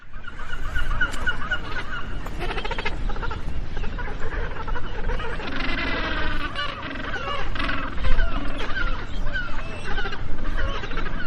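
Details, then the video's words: Magellanic penguins, a South American penguin species, calling in a group: several harsh, braying harmonic calls overlap, strongest around the middle, over steady low rumbling wind or surf noise. "O Som dos Pinguins"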